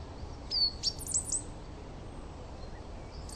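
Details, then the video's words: Coal tit in a garden giving a song variation: a few high, thin, sharply slurred notes in the first half, then a pause and one more note at the end, over quiet background hiss. "Coal Tit Song"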